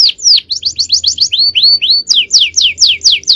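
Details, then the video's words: Male canary giving 'cengkok jawara' champion song: a brisk series of high, piercing down-slurred whistles, about four per second, bright and clean, with a soft low hum in the background. "Aksi Kenari||Cengkok Jawara||Full Power Canary Action||Cengkok Champion"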